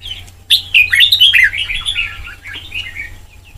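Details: White-cheeked red-whiskered bulbul trained toward Sông Kon singing gives a loud opening note, then a rolling, fluid string of slurred whistles that fades into softer, lower warbles; steady faint hum underneath.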